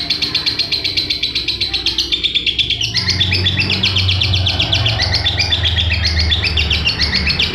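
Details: Lovebird chattering song for tutoring other birds: fast, scratchy high-pitched pulses in a continuous run, with a louder low rumbling background noise joining midway.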